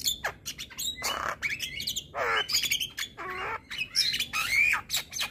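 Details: Male Javan myna song said to provoke other mynas: a fast jumble of harsh squawks, raspy rattles and sharp whistled notes in quick succession, with a constant low background hum.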